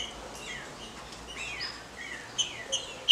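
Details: A captive female green-winged saltator gives thin, high chirps that slur downward, then a few sharp ticks near the end, calls meant to excite a male.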